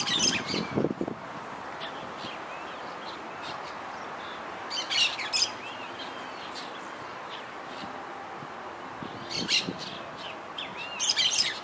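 Yellow-chevroned parakeets give four short bursts of shrill, scratchy chirps a few seconds apart over a steady background hiss.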